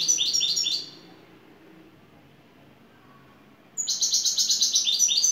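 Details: Turkish European goldfinch lead bird in şakşaklı song: a stuttering, rapid twittered phrase fades into a long silence, then a sharp high note launches another fast, pulsing trill.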